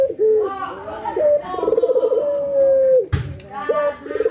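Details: Ringneck dove pair, a white albino versus a local dove, nodding and laughing during training: vibrating, stuttered coos rising into a long level note, one sharp knock midway, a person talking faintly.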